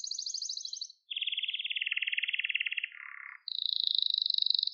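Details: Canary song for training young birds: a high rapid trill, a brief gap, then a long lower rolling tour dropping further, and after a short pause a steady high trill again.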